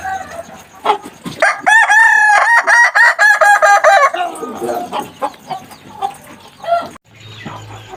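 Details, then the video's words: Young Kukuak Balenggek rooster, a Minangkabau crowing breed, learning to crow. It gives one long, harmonically rich crow of about three seconds, broken into rapid repeated syllables. Fainter crowing and farmyard sounds follow. "proses belajar koko ayam kukuak balenggek"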